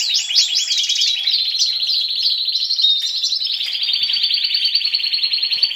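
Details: Captive male European goldfinch in breeding condition, known to mate with canaries, delivering a continuous bright twittering song: sharp rising notes at first, then long rattling trills held at a steady high pitch.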